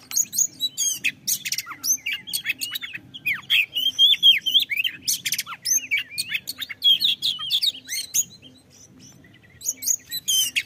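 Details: Oriental magpie-robin singing to stimulate other birds to sing, a varied stream of clear rising and falling whistles mixed with rasping notes and rapid chirps, fading into quieter song near the end.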